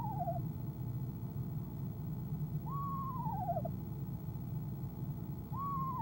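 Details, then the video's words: Repeated trilling by a female eastern screech owl on a nest box camera, evening of 25 January 2015: tail of one trill, one complete quavering downward trill, then the beginning of the next, spaced about three seconds, with low hum. "Athena ESO Athena trills"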